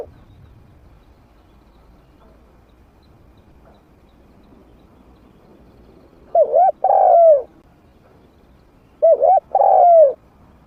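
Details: Trained spotted dove of medium voice, used to lure wild doves to fight. After several quiet seconds of faint background, two phrases, each a quick double note then a drawn-out descending coo, about three seconds apart.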